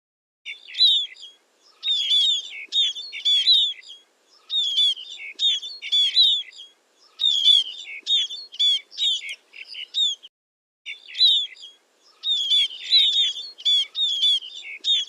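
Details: Scaly-breasted munia calling: high, thin chirping notes strung into quick bursts of several chirps, separated by brief silent gaps, against an otherwise quiet background.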